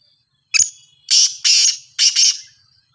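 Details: Sindhi black francolin (kala teetar), praised as a fine caller, producing a brief clipped note and then three grating, buzzy bursts in quick succession, the final burst split in two; no other sounds are heard.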